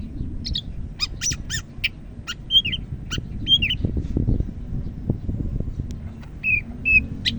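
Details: Medan greater green leafbird from North Sumatra in rich "gacor" song: stacked harsh chips, then short pure whistled notes sliding downward, spaced by pauses, with low rumbling noise throughout.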